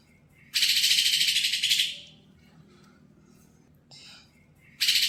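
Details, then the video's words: Greater green leafbird, a young untrained bird tried out at a bird kiosk, bursts into loud harsh buzzy chattering lasting about one and a half seconds, a brief softer note follows, then another loud burst begins. "nyolok cucak hijau bahan bondol dikios dapet istimewa"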